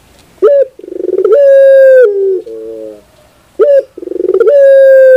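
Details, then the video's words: Barbary dove (puter) played as five-minute sound therapy to get a kept bird singing: loud, deep cooing in which a sharp note swells into a long steady coo, a lower trembling tone follows, then the pattern repeats. "your puter bird will definitely sound"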